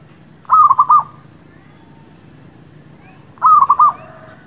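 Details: Zebra dove of the local village type singing a lure song for trapping and for new birds: two brief trilled phrases of about four soft, rapid cooing notes, three seconds apart, with faint high chirps behind.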